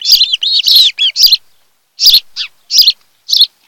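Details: Nest-camera recording of an osprey couple on Kent Island, Maryland, 26 July 2018, afternoon: sharp high whistled chirps in clusters, then evenly spaced single chirps about every half second after a brief pause.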